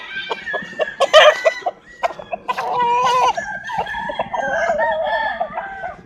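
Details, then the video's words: Clucking chickens with rooster crowing, a wavering drawn-out crow in the second half among short calls and steady background chatter. "Chicken sounds, Roosters Crowing sound effects"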